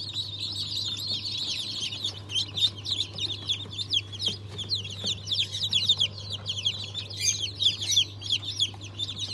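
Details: Batch of day-old chicks (Cream Legbar, Australorp, Ayam Cemani) hatched 7 February 2023, giving rapid, piercing peeps that swell and fade in waves, many birds calling at once above a low droning hum.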